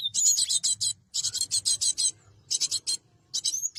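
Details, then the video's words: Cinereous tit, sound used to lure and trap wild birds: four dense runs of rasping, high buzzy notes, each run of about five rapid pulses, with a brief rising whistle at the end. "Suara Burung gelatik batu terbaru!!! untuk pikat dan pancingan burung bahan"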